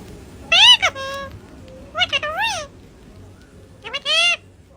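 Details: Pet parrot vocalising in three brief, voice-like phrases, each sliding up and down in pitch with rich overtones, separated by short quiet gaps in an indoor setting.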